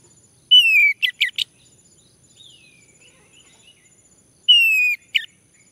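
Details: Male orange-headed thrush song meant to prompt another male to sing: two bursts four seconds apart, each a clear, slightly falling whistle followed by quick sharp chirped notes, with quiet soft notes between and a faint steady high hiss.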